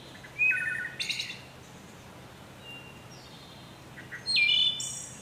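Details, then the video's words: Wood thrush giving two flute-like phrases: a clear descending whistle, then a high metallic trill. The phrases are spaced about four seconds apart, with soft faint notes between them. "Wood Thrush Bird Beautiful Sing"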